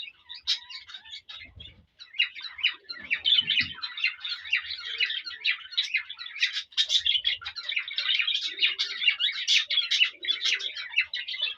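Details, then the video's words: Male cockatiel whistling and warbling to a female to stimulate mating. The song is a dense, chattering stream of high chirps and whistled notes, almost continuous after a brief pause near the two-second mark. "تغريد وتصفير ذكر كالوبسات للأنثى يحفزها للتزاوج"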